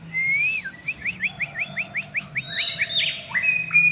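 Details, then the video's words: Medan white-rumped shama with a long tail: an opening slurred whistle, then a rapid series of short repeated chirps, ending in varied high whistles, with a low hum behind. "murai batu Medan gacor ekor panjang"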